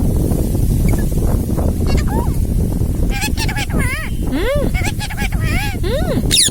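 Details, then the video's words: Indian ringneck parrot talking over steady loud rumbling noise; after a quiet start, quick arched speech-like syllables follow in a lively sequence during the second half. "इंडियाn रिंगनेक्क parrot talking"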